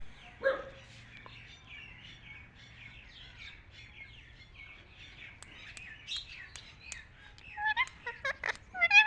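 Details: A parrot, presented as a beautiful talking parrot, gives a quiet series of short chirps and twittering whistles. They grow louder and sharper near the end, with a brief low hum early on.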